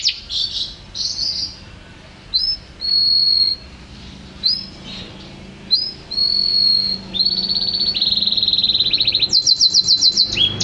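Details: A champion canary sings a varied phrase of short upslurred whistles and longer level tones, then a sustained buzzy high note, ending in a quick burst of repeated chips.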